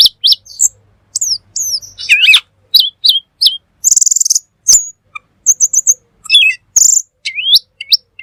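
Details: Black magpie (cucak keling) in full 'gacor' tutor song: upslurred whistles and quick chips, a rapid buzzy trill in the middle, and more rising whistled notes after it.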